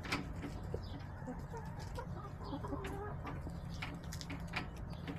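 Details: Backyard chickens on March 18, 2024, feeding on leftover salad and sunbathing. Faint, low, scattered clucks sound at intervals against a constant low hum, with a few sharp clicks and knocks.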